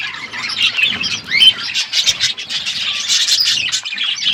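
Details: Chirping from parrots feeding on food, February 25, 2024; many rapid, overlapping high chirps form a busy chorus, with a brief rising whistle near the middle.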